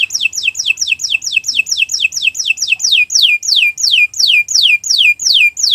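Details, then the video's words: Canary song for training other birds: a long series of loud, clear down-slurred whistles, quick at first and then slower and longer, each note sweeping from high to lower pitch. "Kicau Burung Kenari 174 II LUAR BIASA GACOR PANJANG Cocok untuk Masteran"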